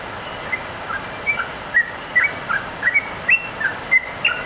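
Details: Sooty-headed bulbul singing actively: short clear whistled phrases of two or three notes, some rising and some falling, repeated about every half second over a soft steady background hiss.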